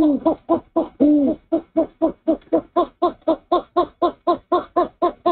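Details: Male owl at the nest at dawn, 04/06/23, having brought a rat to his mate for breakfast; he hoots as she preens his cheek. A rapid train of short, low hoots, about four per second, with a few longer drawn notes near the start.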